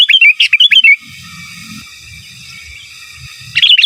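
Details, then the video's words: Sooty-headed bulbul singing gacor in the giras and menggaruda manner, used for masteran: a rapid run of chirpy, rolling whistled notes, a three-second pause with low rumble, then the phrase starting again. "Suara Burung Kutilang Gacor Giras dan Menggaruda Cocok Untuk Masteran"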